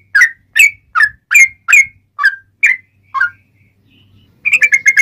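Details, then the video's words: Sooty-headed bulbul song meant as a clear, sharp tutor and trapping lure: evenly spaced, separate whistled chirps, about two per second, then a quick rapid run of notes. "Kicau Trucuk Ngobra Spesial Masteran"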